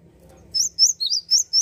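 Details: Java sparrow singing to provoke rivals: a quick run of four or five high, twisting chirps starting after a half-second of low background hum.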